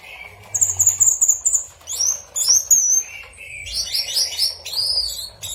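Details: Orange-headed thrush song: a varied run of high whistled and buzzy phrases, with quick repeated chirps, short trills and rising slurred notes, over a low rumbling background.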